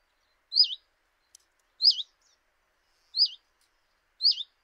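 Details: Common chiffchaff at a kitchen window in Eibar, early March 2018, giving four clear, high, S-shaped whistled notes spaced about every 1.3 seconds, with a faint tick between the first two.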